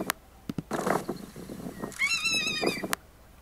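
A Ferruginous Hawk gives one harsh, scratchy scream lasting under a second, gull-like and slightly falling. A man's voice is heard talking just before it.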